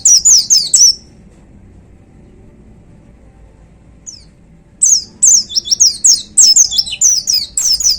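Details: High-pitched "tembakan" song of a white-eye in a contest cage: a brief burst of sharp whistles, a long silence, then a steady run of bright down-slurred notes repeated about twice a second.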